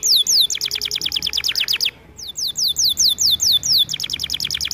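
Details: Canary singing for training, a lively series of quick, high, downward-sweeping notes in rapid succession, broken by a brief silence near two seconds before the same pattern resumes.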